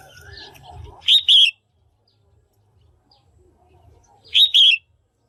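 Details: Female red-whiskered bulbul, caged, calls to stimulate cock birds or for pairing: clear double-note whistles repeated about every three seconds, a quiet low murmur preceding the first.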